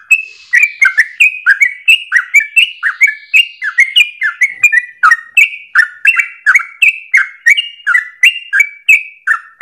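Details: Yellow-vented Bulbul (trucukan) in sustained ropel song for use as a training lure for other birds, morning to afternoon. A lively chain of chirps alternates high and low notes without pause.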